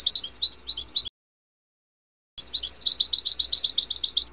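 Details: Natural song of a young European goldfinch from the 2024 season: tumbling liquid twitters, a brief silence, then a long fast run of rolling, bright notes.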